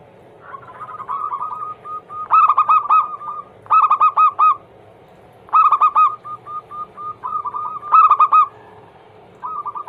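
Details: Zebra dove singing, used to prompt caged doves to sing: loud rich bursts every second or two, each a rapid stuttering cluster of coos, linked by runs of softer, evenly spaced short notes.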